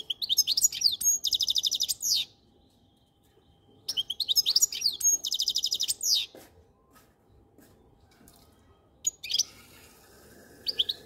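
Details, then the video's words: Repeated goldfinch song phrases, each a bright twitter leading into a buzzy pulsed trill, two phrases about four seconds apart, then scattered short chirps and faint background hiss. "Best Goldfinch song"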